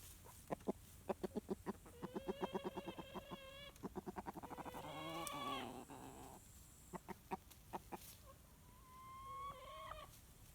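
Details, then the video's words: While dust bathing, a rooster makes comforting sounds for his hens: a run of quick low clucks with tonal moaning notes, a rising harsh squawk, scattered clucks and a thin whining hen call. "Rooster Dust Bathing, Surprises, Making Comforting Sounds, Briefly Gets Upset About Chicken Whining"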